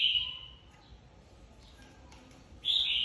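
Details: Red-whiskered bulbul flock leader freshly moved out of an aviary, singing competitively: two loud, clear slurred phrases, one at each end of a quiet gap, with soft hiss behind.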